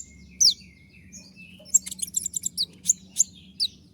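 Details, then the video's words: Konin, in a master recording of its 'tembakan' song for training birds, gives a burst of varied quick chirps and sharp, high, descending whistles crowded into four seconds above a low humming background. "dengan suara tembakan seperti ini pasti bikin kelas kicau koninmu melecit tinggi"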